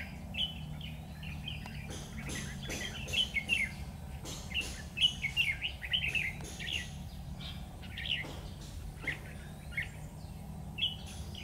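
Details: Red-whiskered bulbuls heard at a trapping site, 12 September 2019: clusters of lively, slurred whistled notes in rapid chattering runs, repeated through the recording, with a constant low droning background noise.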